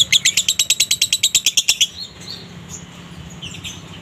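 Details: Lovebird singing konslet minor with a dry tone, used to provoke other lovebirds to sing: a quick run of shrill chirps for about two seconds, followed by faint scattered squeaks.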